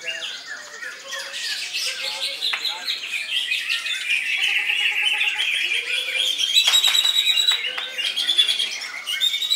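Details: Greater green leafbird singing koncer style at strong volume, a steady nonstop flow of sharp chips, twitters and high ringing whistles, growing louder toward the end.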